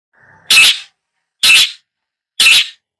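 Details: Long-tailed shrike giving three loud, harsh, rasping notes about one second apart, with a faint low buzz before the first; no other sounds.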